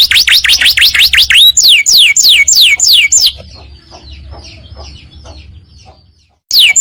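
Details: Yellow canary singing in the long 'ngekek' style: rapid, loud, high whistled notes, each sweeping downward, about three per second for three seconds, then soft faint twittering, a short silence and another loud burst.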